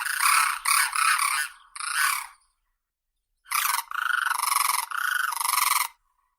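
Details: Crane delivering loud, rough, rattling trumpet calls in two bouts, the first of clipped bursts and the second a longer rolling phrase, separated by a one-second pause.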